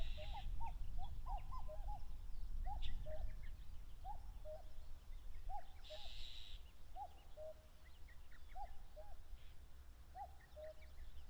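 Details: Wild common cuckoo calling in territorial contests in the grasslands at the foot of Mount Fuji, Japan, late May: rhythmic two-note cuck-oo calls, the second note lower, repeated roughly every 1.2 seconds over a wind rumble. Small birds chirp faintly.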